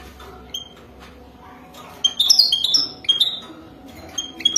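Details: Wild European goldfinch singing a mating song: after a quiet start, a run of high, thin, clipped notes and short slurred whistles arrives in uneven bursts over the last half, with faint low background hum.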